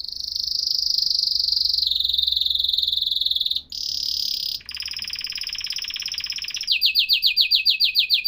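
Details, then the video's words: Atlantic canary singing long sustained high rolls, dropping into a lower buzzy broadband trill, then a fast series of sharp descending high notes, loud and continuous. "تغريد كناري احترافي صوت يشعل الحماس عند الطيور"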